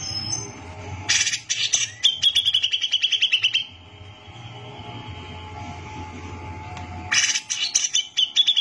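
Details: Brown-cheeked bulbul in long gacor song for training other birds: a rough burst, then a sustained train of rapid buzzy pulses lasting about two seconds. After a quieter gap, another harsh burst follows, over a background hum.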